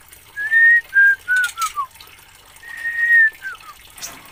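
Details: Oriental magpie-robin from Aceh giving two pure whistled phrases, each opening with a long steady note then stepping down through shorter falling whistles, separated by a quiet gap.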